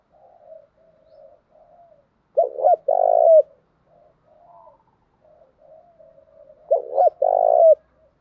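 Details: Spotted dove female used as a lure, cooing in 'thúc gù' and 'gáy gọi' manner: steady low murmuring throughout, broken by two loud phrases of two short hoots plus a long buzzy coo, about four seconds apart.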